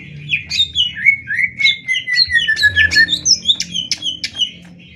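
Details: Greater green leafbird in a Banyuwangi versus Kalimantan singing contest, 'tembak ngetrek' style: a long descending whistle threaded with quick chirps, then sharp high clicks and twitters in rapid succession.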